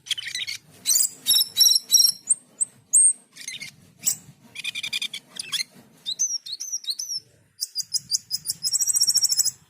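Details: Asian pied starling in rich varied song: dense harsh chatter, squeaky whistles and buzzy phrases, a string of quick sharp up-slurred notes, then a rapid high rattling trill to close.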